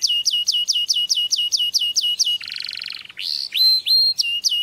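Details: Singing canary, its song meant to stimulate mating: a rapid run of ten or so identical falling whistled notes, then a harsh buzzy rattle, followed by rising hooked whistles.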